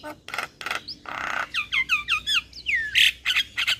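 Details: Starling lure song for silent caged birds: loud raspy squawks, a string of falling slurred whistles, then harsh screechy bursts.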